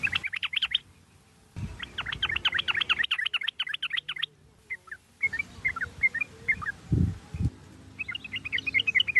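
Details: Sooty-headed bulbul song used as a lure to stimulate a caged bird to sing: bursts of bubbly, warbled notes in fast series, broken by short silences and edited cuts, with a faint low hum beneath.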